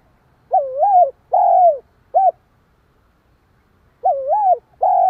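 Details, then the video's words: Spotted dove goading another dove with its song: two three-part cooing phrases, each a rolling double coo, a long falling coo and a short last note, separated by about two seconds of silence. "Tiếng chim cu gáy kích bổi, tiếng gáy nghe ức chế."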